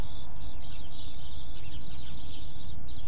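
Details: Small town neighborhood birds give bright, high chirps in short bursts about every half second throughout, against a constant low hum of light traffic.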